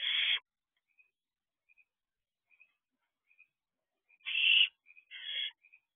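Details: Barn owl owlets at an owl box at night, June 3, 2023, on the perch: three harsh hissing screech bursts, first and last short, with faint soft ticking chirps scattered between them.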